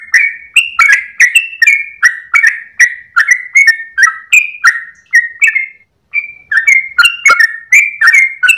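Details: Long gacor ropel phrase from a tail-wagging Sooty-headed bulbul before sunrise. Rapid, melodious whistled notes run on for about six seconds, break for a brief moment, then the fast warbling run resumes.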